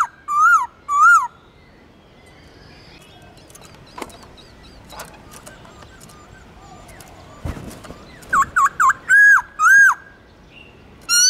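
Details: Black-throated laughingthrush song meant to spur pet birds to sing: two loud bouncing whistles, a stretch of faint notes and clicks, then a run of rolling clear whistles near the end.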